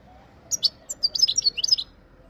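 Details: European goldfinch from Jijel, Algeria, giving a brief burst of high, tinkling twitters over a low background hum.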